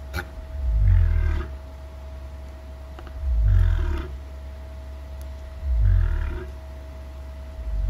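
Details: Deep, low-pitched booms from an Australian cassowary, a large flightless bird: three resonant rumbling pulses arriving about every two and a half seconds, with a constant faint hum underneath.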